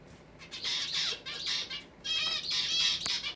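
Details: A pet zebra finch, angry at another finch disturbing its bathing during indoor free flight, gives four harsh, nasal, buzzy scolding bursts about every half second, with faint splashing between.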